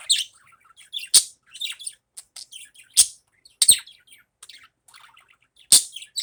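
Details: Morning calls of a budgerigar, lively high chirping and chattering punctuated by four loud, sharp squeaks at irregular intervals.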